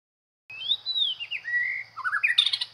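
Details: White-rumped shama, a skilled decoy bird from Isan, northeastern Thailand, singing a rich run of clear whistled phrases that slide up and down, ending in quick rising notes and sharp chips, with a faint low hum underneath.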